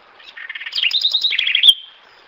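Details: A House Wren sings a fast, bubbly burst of about a second and a half: rapid trills and chatters rising and falling, ending in a sharp high note.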